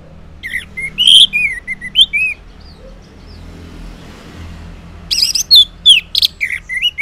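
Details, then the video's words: Orange-headed thrush singing in the ngeplong style in the morning, used as a lure to make silent males answer: two bursts of loud, varied whistled phrases with sliding and twisting notes, separated by a quiet pause. "Cocok Buat Pancingan ANIS MERAH Ngeplong di Waktu Pagi Hari Yang Macet yang Bisu Kalo Jantan Nyaut.."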